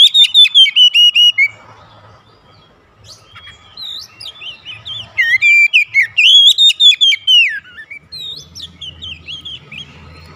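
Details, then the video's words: Oriental magpie-robin kept at home and singing actively as daily therapy: rapid repeated whistles open the clip, followed by varied warbling phrases with looping slurs, a low rumbling hum late on. "terapi harian Kacer rumahan rajin bunyi gacor"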